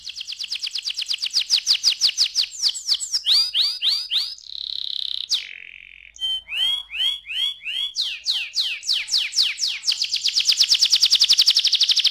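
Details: Extended canary song aimed at getting young canaries to sing: a fast trill, rolling curved notes, a steady buzzy tone, more rolls, and a closing rapid trill.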